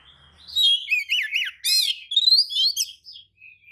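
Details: Oriental magpie-robin lure song meant to make other magpie-robins reply and open their tails: a quick sequence of looping whistles, a harsh buzzy burst, then rising sweet notes and soft trailing whistles.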